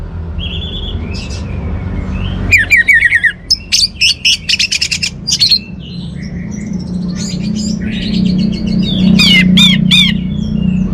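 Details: Orange-headed thrush song: loud, rich whistled notes rising and falling with harmonics, including a fast stuttering run of clipped notes in the middle, then more slurred whistles; a steady low hum throughout.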